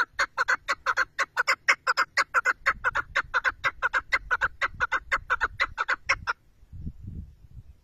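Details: Chukar partridge gives a fast, steady run of harsh clucking chuck notes, about five a second, for six seconds before stopping, followed by a faint low rumble.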